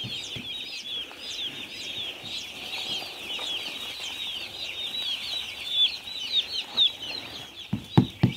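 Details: A flock of young chicks on a farm cheeps continuously in shrill, upward-flicking notes; near the end a few sharp, louder knocks or bumps cut in.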